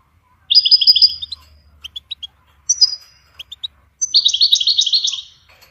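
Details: Goldfinch song for songbird training: a quick trill of paired ringing notes, scattered sharp chips and a buzzy flourish, then a longer bright trill of rapid repeated notes.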